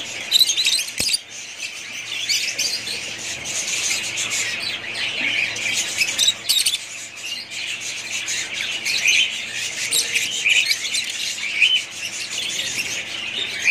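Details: Many budgerigar parrots of one family chatter nonstop, with squawky, scratchy calls and quick high tweets in an unbroken chorus that swells and dips and has a few sharp peaks.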